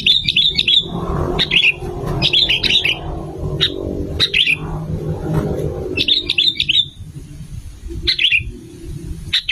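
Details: Sooty-headed bulbul used as a lure: repeated short, bubbly whistled phrases, each a quick cluster of notes, recurring every second or two over a murmuring low background.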